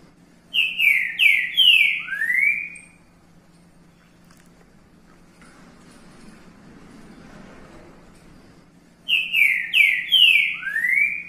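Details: Green-winged saltator singing the song style called boi repicado: two bursts of about four loud, rich whistled notes, each sliding downward, the last rising, separated by several seconds of quiet with a low steady hum behind.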